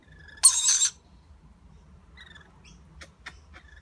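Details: Young lorikeet eating with its parents: a single loud, raspy screech lasting about half a second, followed by soft scattered chirps and clicks over a low hum.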